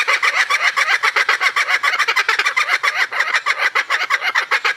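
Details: Kookaburra laughing: a dense, rapid chorus of harsh cackling notes, several per second, steady and loud throughout with no pause.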